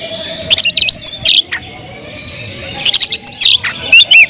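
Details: Oriental magpie-robin (kacer) kept in a cage, delivering bright chirps and clipped whistles in two loud bursts separated by a quiet pause of about one and a half seconds.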